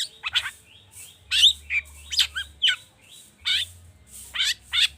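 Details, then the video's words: Agitated long-tailed shrike lure song full of imitated phrases, meant to prompt kept birds into singing: separate harsh, scratchy bursts and thin whistled slurs every half second or so, bright and high, with quiet pauses and a low hum beneath. "Pancingan cendet emosi, full isian mewah"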